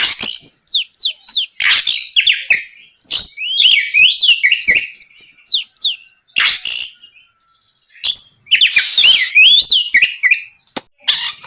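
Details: Oriental magpie-robin in long night song meant to make rival birds answer; continuous varied whistles, rising sweeps and zigzag warbling mixed with sharp clicks and harsh buzzy bursts.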